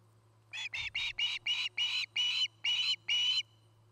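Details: Nest camera at Charlo, Montana, where an osprey pair builds a nest: a burst of nine piercing, slightly rising chirps repeated quickly over three seconds, with faint thumps at the start and a steady low hum.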